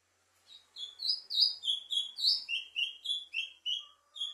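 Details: A plumbeous seedeater delivers a lively run of bright, high, slurred whistled notes, about three or four each second, alternating up and down in pitch, closing with a couple of lower soft tones.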